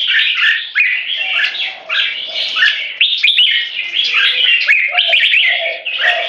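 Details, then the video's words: Two caged Red-whiskered Bulbuls (jambuls), 3.5 and 7 years old, sing competitively in butir style while displaying, trying to dominate a rival. Fast, dense warbling with sharp upslurred whistles continues almost without break. "BATTLE FOR DOMINATION Part 1 - Reference video on how jambuls choose their weapons"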